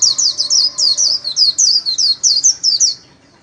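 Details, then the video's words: White-eye solo song from a bird in daily training: a fast run of about fourteen very high, sharp, downward-slurred notes in rapid succession, ending abruptly into quiet. "KHUYÊN LÍU SOLO RẤT HAY - LUYỆN KHUYÊN LÍU MỖI NGÀY"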